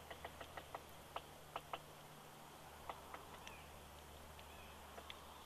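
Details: A woodpecker hammers on a branch of an eagle nest tree in Big Bear, California, on 11 November 2019 while looking for insects, making sharp, irregular wooden taps over a steady low electrical hum.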